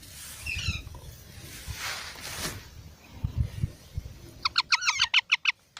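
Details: Baby parrots: a faint falling squawk early, then rustling and thumps, ending in a quick burst of about eight short, sharp repeated notes.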